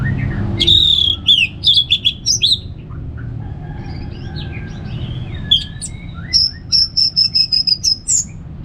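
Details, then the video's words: Orange-headed thrush in Singaraja, Bali, singing ngeplong to prompt kept birds: rapid sharp chirps, a quieter varied passage, then a steady series of high repeated notes about three per second. "$uara ANIS MERAH Ngeplong Santai"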